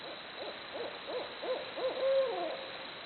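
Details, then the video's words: Barred owls making jungle noises: a rapid string of about six clipped hoots, each rising then dropping, leads into a drawn-out, wavering note that slides down at the close. "Barred Owls Hooting Away Making Jungle Noises."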